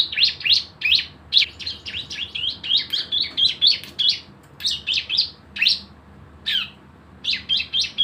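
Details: Active cisem, the Javan white-eye, delivering its rapid-fire 'nembak bren' song as a lure: clusters of bright, high, slurred chirps tumbling together, then spaced single notes near the end.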